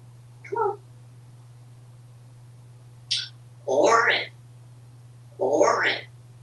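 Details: Talkative pet African grey parrot, hatched 1997, kept indoors in a Texas home, happy and chatty: several short speech-like phrases of mimicked words separated by pauses, over a steady low fan hum.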